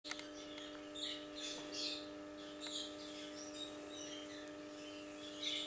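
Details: Two-month-old cockatiels give scratchy, high chirps in short bursts over a steady electrical hum.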